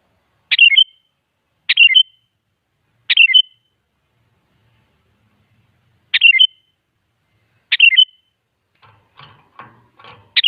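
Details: Sooty-headed bulbul singing, meant as a lure to get other bulbuls answering: five short bubbly phrases, each a sharp note followed by slurred whistles, spaced one to three seconds apart, with soft clicks and scratching late on.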